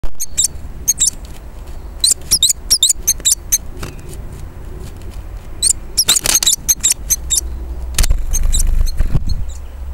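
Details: Eurasian blue tit (Cyanistes caeruleus) in Alta Valsugana, Trentino, giving thin, high squeaky calls in short irregular bursts over a steady low rumble of traffic.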